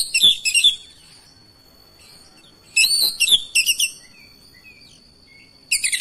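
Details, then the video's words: Oriental magpie-robin answering another singing magpie-robin, singing persistently and showing off its repertoire: loud bursts of rich, scratchy chirps and whistled notes in three groups separated by short pauses, over a steady high thin tone. "KACER LAIN LANGSUNG RESPON IKUT GACOR NGOTOT BONGKAR ISIAN"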